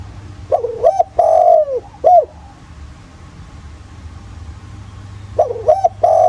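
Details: Rural spotted dove in the 'giọng thổ' voice, a lure for other doves: one full phrase of wavering, long falling and short arched coos, a three-second pause, then the phrase begins again, over low hum.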